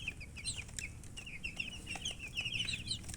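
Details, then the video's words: Baby chickens peeping, short high chirps tumbling over each other at a quick pace, with occasional knocks and a rumbling low hum in the background. "Witty MURGI Baby "Chicks Chirping" Sound"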